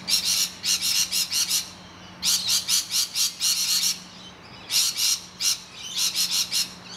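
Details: Rainbow lorikeets, distressed as noisy miners attack their hollow, scream in fast runs of four to six rasping bursts, each run broken by brief pauses, over a steady faint low hum.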